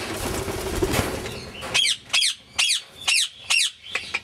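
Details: Grey Indian ringneck parakeet, a pet bird, giving a run of six sharp, harsh squawk-like calls about every half second after a second and a half of broad rustling noise, possibly wing flapping.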